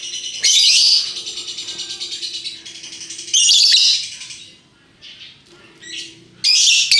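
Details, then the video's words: Lovebirds of various colours, a hooked-bill bird, in the lively ngekek chattering style: loud harsh rasping bursts at about one, four and seven seconds, with softer fast rattling chatter and a low steady hum between them. "Burung Lovebird Rupa Rupa Warnanya, Burung Paruh Bengkok, Bunyi Ngekek Gacor"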